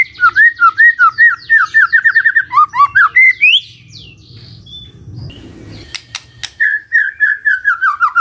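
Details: Morning song of a magpie-robin, played to prompt a quiet bird to answer: a fast run of repeated rising whistled notes, then a pause with low hum and clicks, then a descending series of clear whistles.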